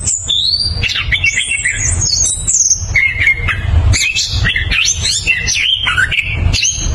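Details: Continuous, powerful ngeroll song of the orange-headed thrush (anis kembang): rapid strings of high whistles, twisting warbles and scratchy squeaks packed together, changing pitch constantly, with a low background rumble throughout.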